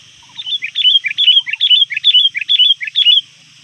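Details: Sooty-headed bulbul kept as a trained lure bird, calling out to rivals shortly before dusk and calling nonstop. Rapid bright, chirpy two- and three-note phrases repeat for about three seconds. A few soft lower notes come early over a quiet background.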